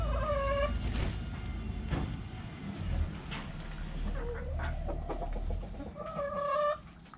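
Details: Backyard chickens with roosters crowing: two long harmonic crows, one at the start and one near the end, with softer clucks and scattered knocks between them over low background rumble.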